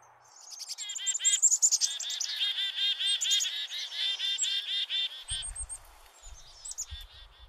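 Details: Chickadees giving high-pitched, relentless mobbing calls: rapid, harsh, buzzy dee-dee scolding in chorus, sounding very upset at an intruding predator such as a hawk or owl, with a few thin whistles and faint low thumps near the end.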